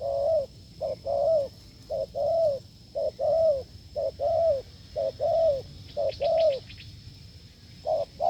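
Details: Wild spotted dove in open fields, met during a failed decoy test, cooing strongly: short note then longer slurred coo, pairs repeated about once a second, steady hum and faint high chirps from another bird near the end.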